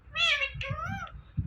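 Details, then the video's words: Indian ringneck parrot imitating speech, two drawn-out, nasal, wavering syllables in quick succession, the first louder and higher, over low indoor hum. "Talking Parrot Saying Mithu Mithu"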